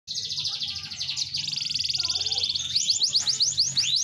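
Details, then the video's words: Caged canary singing in full voice: a long run of rapid high buzzy trills, then a series of sharp rising-falling whistled sweeps repeated several times a second, with a faint low hum beneath. "Kenari f2ys gacor siaap gantaaang tuuhh"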